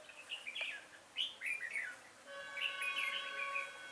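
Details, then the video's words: Decoy red-whiskered bulbul singing on 5 October 2018 to draw wild bulbuls toward a trap: lively chirpy warbles, then a steady ringing tonal hum sets in under further sweet, fluttering phrases. "Bẫy chào mào"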